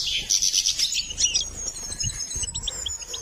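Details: Goldfinch during song training: a loud burst of chattering twitters, then a long thin high whistle drawn out under scattered short chips.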